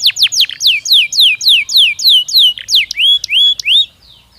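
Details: Belgian canary singing naturally, a clear series of loud descending whistled sweeps repeated about three times a second, ending in higher rising notes before falling quiet.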